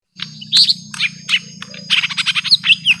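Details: Young lesser green leafbird in a long fight with a rival: bursts of sharp, high chirps and quick down-slurred whistles, coming faster and more clipped toward the end, over a low steady hum.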